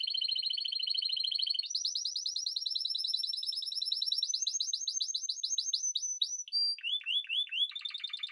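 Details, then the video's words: Spanish timbrado canary in continuous song, moving from a fast low roll to a higher, quicker trill. It closes with separate bright notes and several sharply falling, clipped phrases. No other noise. "Timbrado تغريد جميل الكناري تيمرادو الإسباني"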